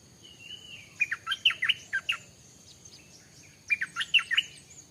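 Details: Stripe-throated bulbul in forest, with wild birds approaching a newly kept bird, delivering two loud, rich, gurgling phrases of rapid warbled notes about three seconds apart, with a faint high thin whistle beneath.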